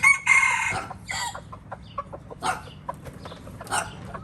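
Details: Red junglefowl from Laos, a wild fowl, giving a hoarse, harsh crow in the first second, followed by scattered clucks and clicks over a low background hum.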